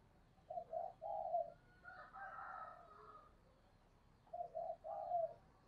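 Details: Decoy spotted dove cooing to lure wild doves: two faint, low phrases of short hollow coo notes ending in a longer drawn note, separated by a pause in which a harsher, higher call sounds, over steady background hiss.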